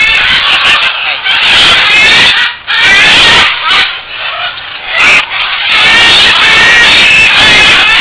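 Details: Captive Great green macaws (Buffon's macaws) at a release-breeding project in San Jose, Costa Rica, 31 December 2010, on the ground; loud grating squawks in long bursts, broken by a few brief quieter gaps.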